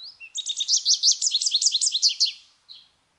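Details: Loud, varied twittering from an American goldfinch: a continuous two-second string of quick, high, sliding notes, ending with a short separate chirp.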